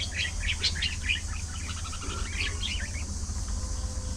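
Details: Budgerigars at afternoon feeding time, a dense run of quick chirps and warbled twitters overlapping in the first three seconds, then thinning out, over a steady low rumbling hum.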